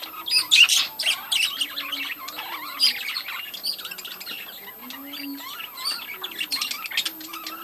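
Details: Breeding colony of budgerigars, a busy mass of overlapping high warbling chirps, squeaks and squawks, loudest in the first three seconds, then a steady, slightly softer chatter.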